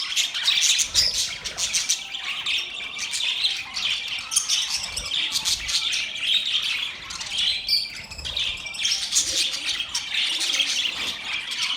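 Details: Flock of budgerigars making mating sounds, continuous overlapping high chirps, grating squawks and thin whistles, busy and unbroken throughout.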